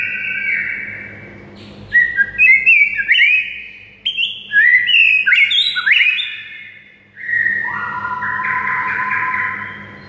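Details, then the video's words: Tutor song of a white-rumped shama to rouse silent birds: flowing whistled phrases leaping between pitches, a burst of rapid scratchy notes in the middle, then long mellow lower whistles, with a constant low hum. "MURAI BISU SONTAK NAIK EMOSI DAN GACOR DENGAR MASTERAN MURAI SATU INI"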